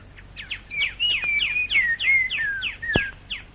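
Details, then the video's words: Plain babbler in the Malaysian rainforest, late 1950s to early 1960s, giving its more forceful later-day song: rapid downslurred whistles and short chattering notes, about three per second, with a sharp click partway through. "later in the day the plain babler goes over to a more forceful type of song interspersed with chattering notes [Music] [Music] o [Music] [Music] [Music] I d I"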